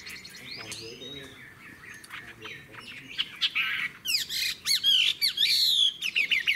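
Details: Mature wild-caught Chinese hwamei: faint, scattered notes at first, then a loud burst of ringing whistled phrases that rise and fall in quick succession, mixed with short buzzy notes.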